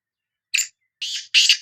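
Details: Sindhi black francolin (kala teetar) calling: three harsh, grating, buzzy notes, a short first note and then two longer rasping ones close together, in a clean, quiet background.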